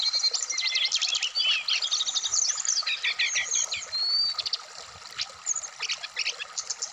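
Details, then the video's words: Dense Black-throated laughingthrush song from a bird aired in the morning dew. Rapid clustered chips and buzzy notes come about three per second, with a few clear whistles, softening toward the end. "terapi srdc biar cepat bunyi wikplong Dan gacor full variasian"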